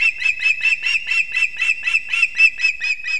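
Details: Osprey calling at its nest in Kurzeme, Latvia, filmed by a live nest camera at 6:40 am on 3 September 2024 as the father brings two fish to the young. About thirteen shrill, piping chirps come steadily, roughly two a second, over a quiet background.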